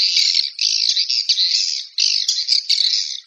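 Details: Swiftlet calls used as a lure sound: dense buzzy, raspy chatter in long bursts, broken by short gaps about every half second to second, with no other sounds.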